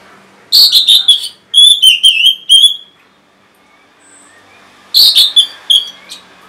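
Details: Orange-headed thrush song, meant to stir stalled or lazy birds into singing: loud clear whistled phrases of rapid stuttering notes, a pause with one faint high note, then another similar phrase.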